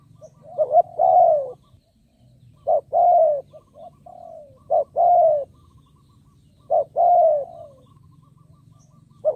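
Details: Decoy spotted dove calling from captivity to attract wild birds, a series of low coos in pairs, a brief note followed by a drawn-out descending coo, roughly every two seconds, with a faint steady hum.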